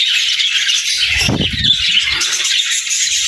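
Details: Group of budgies singing: continuous high, scratchy warbling and chirping throughout, with a burst of low rattling knocks near the middle.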